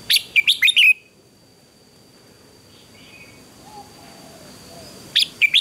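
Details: Red-whiskered bulbul in a morning singing contest: a short run of bright warbled notes, then a long near-silent pause with faint distant chirps, and another phrase beginning at the end.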